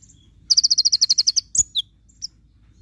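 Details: Javan white-eye, locally konin, fires one tembakan burst for a tutor recording: a quick string of about twelve bright high pulses, then a sharp click and two short falling chirps.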